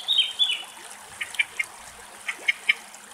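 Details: A Redwing somewhere in Greek nature sings high, thin whistled notes, then a string of short, bright chirps a few tenths of a second apart, with faint background hiss.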